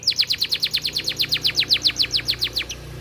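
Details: Canary of the AF type, singing very actively, recorded as a tutor song for young birds and to bring females into breeding condition: a steady trill of sharp downward-slurred high notes, about two per second, evenly paced.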